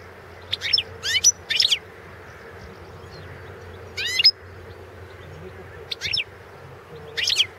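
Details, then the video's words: Competition recording of a Balkan goldfinch, Carduelis carduelis balcanica, from the 2016 world goldfinch song championship in Serbia; clipped, sharp high twittering phrases come in short bursts, roughly six over seven seconds, with faint steady hum behind. "World championship in Goldfinch Song 2016"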